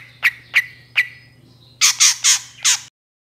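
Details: Long-tailed shrike luring sounds: three sharp, clipped chips, a short pause, then four loud rasping squawks in quick succession before silence.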